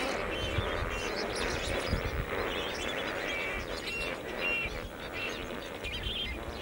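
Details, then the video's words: Lesser flamingos among thousands gathered on a morning near the airport at Bhavnagar, Gujarat, India, in courtship away from their breeding area: a dense, continuous chorus of overlapping nasal honks and chatter over a low background rumble. "lesser flamingo courtship"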